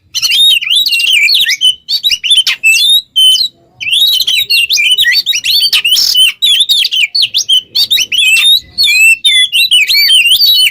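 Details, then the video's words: Energetic Oriental magpie-robin song kept as a tutor for other cage birds: rapid chains of sweet, bending whistles and sharp chips, nearly continuous, with one brief pause around three and a half seconds. "GACOR burung KACER ngobra teler cocok buat pancingan MASTERAN"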